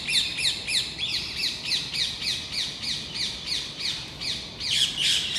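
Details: About ten Rose-ringed Parakeets in an excited mob around a red squirrel in the plane trees of the Versailles palace gardens; continuous fast series of harsh, down-slurred screeches, about three per second throughout.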